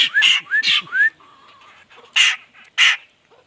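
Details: Laughingthrush singing: three short rising whistles in a row, followed after a quiet gap by two loud, harsh bursts.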